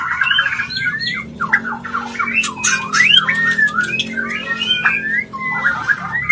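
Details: White-rumped shama giving its mating call, meant to bring a bird into breeding condition: a fast, jumbled run of warbled and fluting notes rising and falling, broken by a few harsh rasps.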